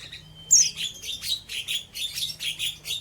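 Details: Untrained oriental white-eye (pleci) in ngeriwik style: high, thin chirps fired in quick bursts about every quarter second, steady and insistent, with a faint low hum beneath.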